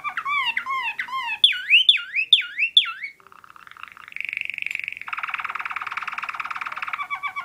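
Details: Waterslager (Malinois) canary singing a tour that imitates a northern cardinal: repeated loud down-slurred whistles, then a low rolling trill and a dense buzzy rattle.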